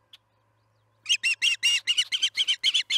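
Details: At the Charlo osprey nest during evening feeding on July 9, 2019, 6 pm MDT, a second of near silence with one tiny chirp is followed by a burst of loud, rapid squealing chirps, about four per second.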